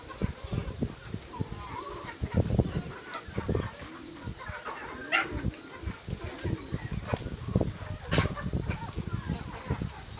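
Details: Busy flock of free-range chickens raised on grasshoppers clucking with short throaty notes overlapping one after another.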